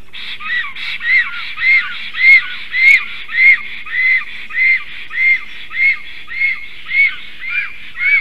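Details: Black storks, male and female, guarding their nest in a tree from an intruding stork around midday on 12 July 2023. Steady, even series of about fourteen hoarse, rising-falling squeals, roughly two per second.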